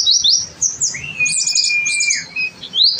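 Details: Oriental white-eye singing in gacor style, used as a tutor recording: quick high chirps, then a long steady mid-pitched whistle running under busy twittering, ending in rising high notes.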